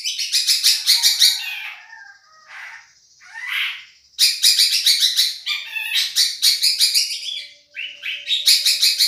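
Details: Madura-type long-tailed shrike giving a champion tutoring song: bursts of loud, high, rapid chattering notes broken by short gaps with softer buzzy sounds, then resuming in fast repeated phrases.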